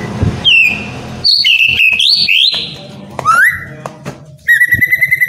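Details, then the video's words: Captive white-rumped shama song for getting reluctant birds to sing: sweeping whistles rising and falling, a long steady whistle at the end with brief quiet gaps, low background hum. "DENGERIN SEBENTAR,,EPEKTIF, BIKIN ,//MURAI MALES BUNYI..JADI GACOR PLONG"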